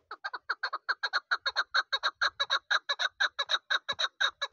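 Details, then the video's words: Young chukar partridge of this season, a local bird kept for hunting, giving a fast run of sharp, clipped chuck notes, about four per second, steady and unbroken for the whole stretch. "اس سیزن کا بچہ شکاری چکور کی اواز dese shikari chakor ki awaz sund"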